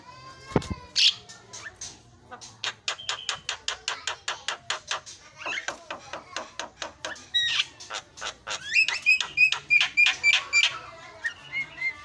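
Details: Javan myna song used as a lure to make other birds sing: dense run of sharp repeated squawky notes, roughly three per second, mixed with whistled phrases and rapid high chattering trills, one low thump near the start.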